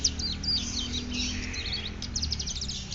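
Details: Hill prinia (ciblek gunung), Cililin bird, ngeriwik singing: a string of high whistled slurs and squeaky notes, then a burst of rapid sharp ticks, over constant low background hum.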